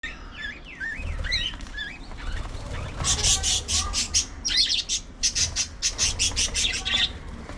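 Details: Pet budgerigars chattering: warbled, rising and falling notes at first, then a fast run of harsh, buzzy squawks repeated several times a second, with low rumbling noise underneath.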